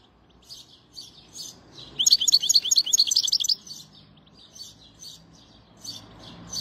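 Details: A European goldfinch gives a bright, rapid run of repeated twittering notes lasting about a second and a half, framed by quieter scattered chirps before and after.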